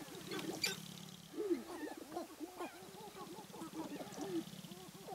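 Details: Displaying male sharp-tailed grouse on a spring lek, Namekagon Barrens, Wisconsin; a crowd of brief arched cooing notes, clucks and chatter, with a rattling stamping patter underneath.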